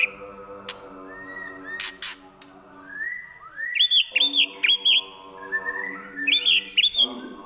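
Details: White-rumped shama delivering mimicked prinia, kapas tembak and eagle phrases: soft slurred whistles, then loud arched high notes repeated about every third of a second in two bursts, with a constant low harmonic hum beneath.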